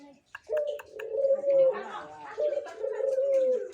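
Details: Mature caged dove, ready to serve as a master bird, cooing in two long, low, steady-pitched phrases with a short gap between them, with voices and indoor sounds behind.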